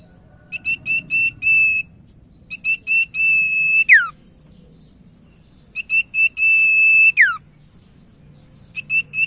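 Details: Common iora (sirtu) lure song meant to make quiet ioras sing: repeated phrases of staccato high whistles building to a drawn-out whistle that swoops sharply downward, twice, over a soft rumble.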